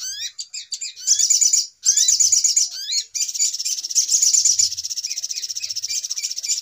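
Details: Little spiderhunter sound used as a trapping lure: quick upward-flicking whistles and short dense trills, then a long unbroken high chattering trill.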